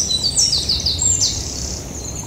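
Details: Yellowhammer giving a short run of quick, high, repeated chirping notes that ends in a brief downward-sliding note, with faint low background noise beneath.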